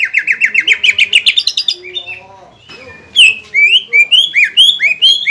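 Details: Greater green leafbird singing to provoke a rival leafbird back into aggression after moulting: rapid string of bent whistles, a quieter pause with soft lower notes, then loud rising whistled phrases.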